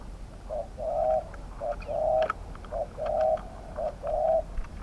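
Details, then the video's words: Spotted dove heard during decoy luring with a trap cage: repeated phrases of a short note and a longer coo, about one per second, with faint clicks and taps between. "ต่อนกเขาใหญ่ ต่อเพนียดเถรเปือย กับเซต็ปนกป่าเสียงกลาง"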